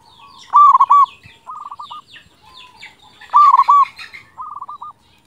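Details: Strong-voiced local zebra dove, used as a tutor recording to stimulate other birds: two loud stuttered coos, each answered by a quick rippling trill, over a background of scattered higher chirps.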